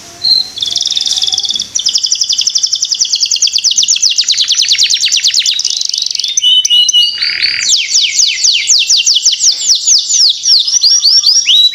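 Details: Canary lure song meant to get young canaries singing quickly: dense high trills of rapid repeated notes, a steady buzzy stretch, then fast falling whistled sweeps, with a brief lower tone near the end.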